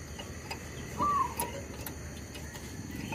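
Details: Zebra dove used as a lure while trapping wild birds, kept calling despite a tree squirrel's disturbance; one clear hooked whistled note, then a softer lower tail, over faint clicks and quiet outdoor background.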